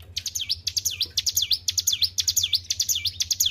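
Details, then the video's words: Caged white-browed shortwing in full, constant song: high, bright notes sweeping steeply down then up again, repeated about twice a second with short ticking notes between them, a faint low hum beneath. "GACOR IDOLA PARA SUHUU..BURUNG CIBLEK GUNUNG"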